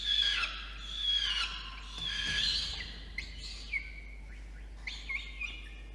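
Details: Wild peregrine falcon chick, nest box on a water tower in Orange, NSW, Australia, begging while the adult male brings dinner at 8:56 PM, 5 November 2021; loud, grating, high wails run together, then shorter rising squeals.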